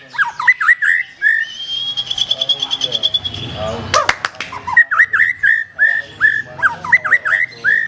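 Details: Black-tailed white-rumped shama song of quick looping whistled notes, broken in the middle by a buzzy, rapid rattle and a sharp click, then more rolling whistles.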